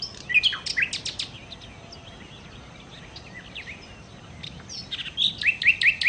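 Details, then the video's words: Song of a nightingale (sikatan londo): a burst of varied high chirps and sharp notes, a quieter stretch in the middle, then a closing series of rapid rising whistled notes. "kicau Sikata Londo( Nightingale Birds )"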